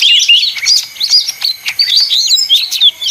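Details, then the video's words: Leafbird song given as a noisy, highly effective song: rapid high chirps and whistled upslurred and downslurred notes tumble together without pause, bright and busy throughout. "suara ijo mini (daun)ribut paling ampuh"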